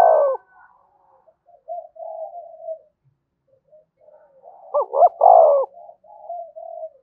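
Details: Spotted dove cooing, a recording played to stimulate other doves to coo: a short coo opens, then soft, low, slightly wavering coo notes, a pause, and a louder cluster of rising-and-falling coos before softer trailing notes fade.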